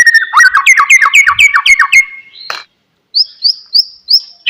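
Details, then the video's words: Oriental magpie-robin song intended to get a lazy, silent bird singing: a rapid series of about eight repeated downslurred whistles, a harsh note, then four evenly spaced high thin whistles. "MURAI BATU BENGONG,, DIEM .//. LANGSUNG RESPON DENGARKAN KICAUAN INI"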